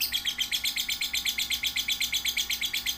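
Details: Lovebird chick, one to three months old, used for tutoring other lovebirds: bright, evenly spaced chirps repeated roughly seven times a second, sharp and high-pitched, over a low steady hum.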